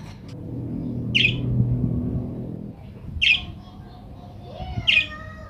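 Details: Calls from a budgerigar used to coax other budgerigars into answering and singing: three short, scratchy chirps spaced one to two seconds apart, with quieter warbling notes and a rumbling background.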